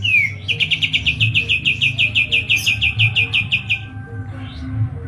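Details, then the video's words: White-eye of the Medan type in active, rolling, rapid-fire song: one falling whistled slur, then about twenty fast, high, evenly spaced chirps over three seconds, fading into softer notes over a low hum. "KAPAS TEMBAK MEDAN GACOR ISIAN SUARA PEDAS NGEROLL SPEED NEMBAK EDAN"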